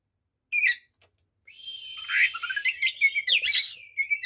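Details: Oriental magpie-robin singing an aggressive full-repertoire song to provoke other magpie-robins: a short sharp note, a pause, then a sustained, dense stream of rapid, scratchy and whistled notes rising in loudness.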